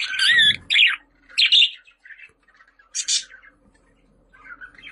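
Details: Budgerigar chattering in a series of short, harsh, buzzy warbles and chirps with brief squawky bursts and quiet gaps between them.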